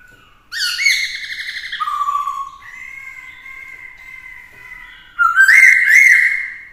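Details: Black-throated laughingthrush, a caged bird singing to challenge rivals beside a female: a rough buzzy phrase, a dropping whistle, long level whistled notes, then a loud burst of rapid varied whistles.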